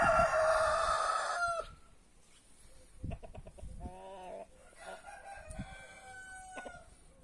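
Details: Free-range roosters in a back yard, breeds including Brahma, Marans, Naked Neck and White Star: a loud crow ending at 1.6 seconds, followed by clucks and a fainter distant crow.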